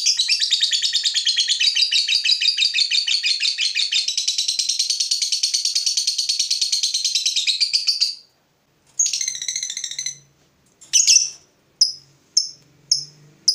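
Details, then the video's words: Fighter lovebird provoked by a rival pours out a long ngekek, a fast, harsh, high chattering trill lasting about eight seconds, then breaks off into scattered squawks and short, sharp ticking chirps. "Lovebird FIGHTER terpancing Panas, nyaut Ngetik lanjut Ngekek Panjang"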